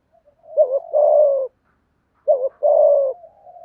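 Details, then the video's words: Spotted dove in a full call-urge-coo sequence used to provoke wild doves. Two matching phrases, each a fast wavering double note run straight into a long, throaty, gently falling coo, with a pause of about a second between them. "Tiếng Cu Gáy Giọng Hạp BổI ĐỦ BÀI.. GỌI +THÚC + GÙ/Kích Bổi Nhanh Nổi"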